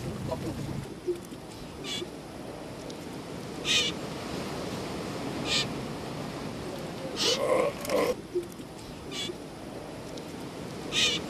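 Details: Galapagos mockingbird on Rubida Island, Galapagos: short harsh, scratchy broadband notes given singly or in quick pairs, about eight over eleven seconds, above a steady rushing background.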